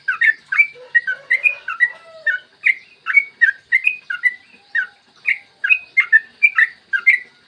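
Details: Song of a yellow-vented bulbul, used as a lure so other bulbuls start singing, recorded clear in the morning: steady run of bubbly, slurred whistles, fast and chattering, with a faint lower note near the start.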